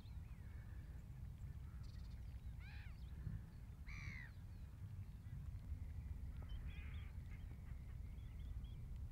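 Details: Eurasian wigeons at Bejershamn in October 2011 giving a few clear, arched whistles, rising then falling, spaced a second or two apart, over a steady low rumble of wind or water.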